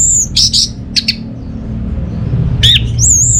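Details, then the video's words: Orange-headed thrush singing to coax silent home birds into song: thin, very high whistles and short chattering notes, a quiet stretch, then a sharp dropping note and another high thin whistle. "ANIS MERAH Mau Nyaut Gacor"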